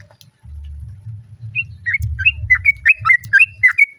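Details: Sooty-headed bulbul female calling to a male while other birds answer; clear, bright chirped notes repeated rhythmically about three times per second, some rising and some falling, over a steady low hum.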